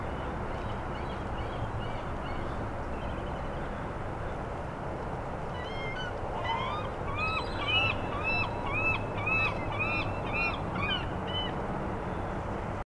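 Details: High, squeaky whistled notes from several Harlequin ducks at Porteau, 2 October 2010, rising and falling and overlapping in quick bursts, over a steady roar of surf.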